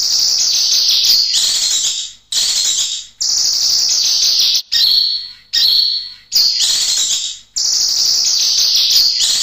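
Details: Kinoy song recording meant to teach and provoke other caged birds: long, continuous high, hissy twittering phrases with thin whistled notes, broken by brief pauses about every one to two seconds.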